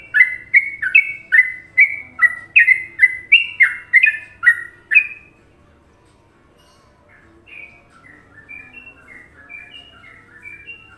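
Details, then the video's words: Sooty-headed bulbul from Indonesia giving the favoured Trucukan song for masteran: loud rapid bubbly whistled phrases for five seconds, then a short lull followed by softer, fainter notes continuing in the background. "Masteran Trucuk Indonesia"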